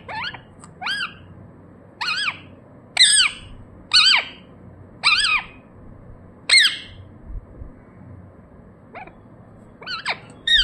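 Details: Ringneck parrot kept as a pet giving its natural calls: a rhythmic series of loud, grating, downslurred squawks about once a second, with a pause midway.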